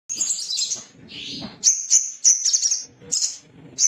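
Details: Male little spiderhunter, agitated and seeking a rival, gives sharp, very high chit notes in short bursts, with a few lower buzzy smears and a dull low rumble between calls.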